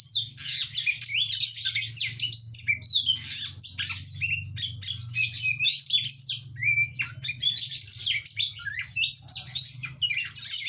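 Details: Oriental magpie-robin singing energetically in a rapid, chattering stream of varied whistles, trills and sharp squeaky notes, almost without pause, over a steady low hum.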